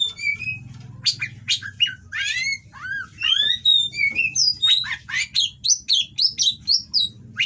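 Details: Caged Oriental magpie-robin delivering a rough-material 'kacer kawin' mating song meant to rile opponents: harsh rasps mixed with slurred whistles, building into a quick, evenly paced series of bright rising and falling whistled notes.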